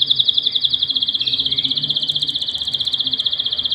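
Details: Canary pair with the male courting the female and chicks in the nest; a fast, even rolling trill of high pulsed notes runs throughout, pulsing about four times a second, with faint low background murmur.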